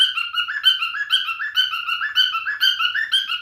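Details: Loud, musical whistling from a singing male cockatiel: quick warbled notes stepping up and down in pitch, repeated in a bouncing rhythm throughout.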